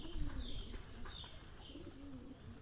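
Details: Pigeons give two low, smooth coos, one early and one late, with a few thin, high chirps from other small birds above them and a thumping bump near the start.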